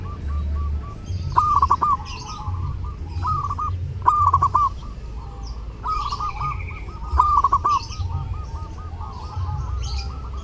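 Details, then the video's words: Vigorous zebra dove song during Lebaran, intended for tutoring other birds: repeated stuttering phrases of rapid ringing coos, each ending in a rolling trill, roughly every two seconds, over low throbbing background sounds. "LEBARAN TAMBAH RAME DENGAN SUARA PERKUTUT"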